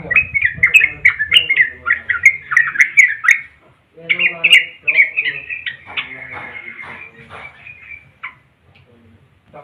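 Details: Yellow-vented bulbul singing at length: rapid, bubbling chattering phrases in the mid-high range, then a long rolling warbled run before a brief pause and a few soft notes.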